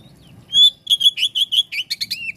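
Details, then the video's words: Oriental magpie-robin singing, offered as a sound that makes other magpie-robins respond: one long loud whistle, then a quick string of clear repeated whistled notes ending in chirpy, slightly harsher syllables. "Kacer jenis apapun jika dengar suara ini langsung RESPON"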